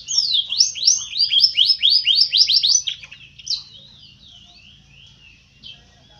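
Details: A one-footed yellow canary in Trinidad sings a fast, rolling warble of high, sweeping chirps and trills, loud at first, then trailing into softer twitters with a low hum beneath.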